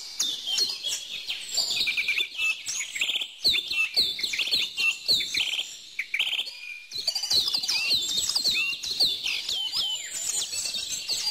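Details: Dense bird chorus of high chirps and quick whistled phrases, thinning briefly around the middle before many voices return, over a background of faint tapping clicks.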